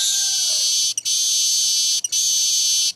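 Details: Baya weaver lure recording: three loud, harsh, sizzling buzzes, each about a second long, following one another with only brief gaps.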